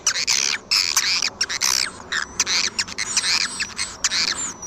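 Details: Swiftlet calls played to attract swiftlets: bursts of high, squeaky chattering notes with sharp clicks between them, and a few thin, level whistles near the end.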